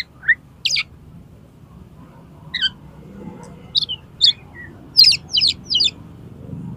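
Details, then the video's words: Oriental magpie-robin challenging another kacer to fight, tail fanned: scattered sharp chirps and short whistles, then a quick cluster of loud buzzy notes near the end, quiet spells between, light low background noise. "KACER MUNTAH ISIAN !!! MENANTANG KACER LAIN AGAR MAU TARUNG BUKA EKOR"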